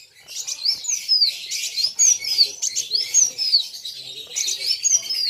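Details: Rival-facing sunbird giving a steady, buzzy high twitter threaded with clear sliding whistles roughly once a second, the notes rising and falling in quick succession.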